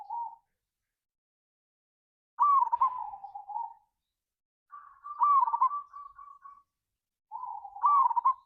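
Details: Local zebra dove singing a ngayer kerot nutut style lure to raise other doves' urge to sing, recorded 16/6/25: repeated soft, rippling coo phrases with trilled endings, some long and overlapping, four bursts spread over eight seconds.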